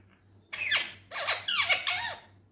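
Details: Talking Indian ringneck parrot produces three dense, harsh, squeaky bursts of speech-like sound with wavering pitch, over a faint steady hum.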